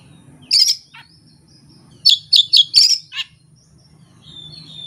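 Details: Oriental magpie-robin singing its fill-in repertoire alone, no tutor and no opponent; one harsh burst, then four rapid grating notes in close series, a falling note, and a thin sustained whistle.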